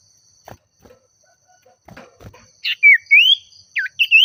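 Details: Faint knocks, then an Oriental magpie-robin (sirtu or cipoh) calling a rival with agitation: a dropping whistle, a long rising whistle, and two short sharp notes.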